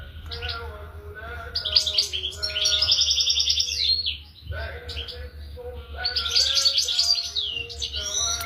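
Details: European goldfinch singing bright, high tinkling phrases with buzzy trilled runs and twittering notes, broken by a short pause midway, over a faint low hum.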